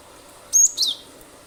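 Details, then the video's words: One short cinereous tit phrase from a lure track for prompting other birds to sing: a sustained shrill whistle, a brief gap, then a falling chirp, over light hiss. "pancingan ampuh glatik batu gacor nembak nembak pasti burung lain ikut bunyi"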